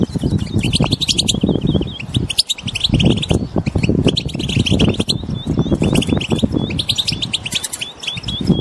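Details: Wild European goldfinches chattering as a group to get a silent goldfinch singing: a near-constant stream of high, crisp chirps and short twitters, with repeated ringing notes toward the end and strong low rumbling noise beneath.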